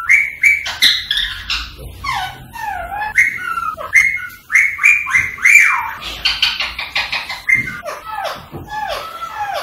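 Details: Rose-ringed parakeet, aimed at prompting song and mating: a dense mix of high shrill squawks, descending whistled slurs and clicking notes, continuous throughout.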